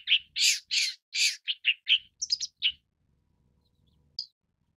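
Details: Long-tailed Shrike (Lanius schach) delivering about a dozen harsh, scratchy notes in under three seconds, louder at first and then shorter, followed by near silence and one faint note.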